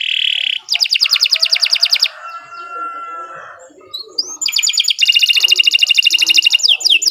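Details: Canary in full, long continuous song: loud high rapid trills of evenly repeated notes, a softer warbling middle passage, then another long fast trill, with a short bright whistle at the start.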